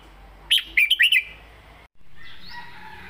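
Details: {'text': 'Cage-kept red-whiskered bulbul giving a short southern-style song phrase: four or five punchy, bubbling whistles in under a second, then a soft hiss and faint high calls.'}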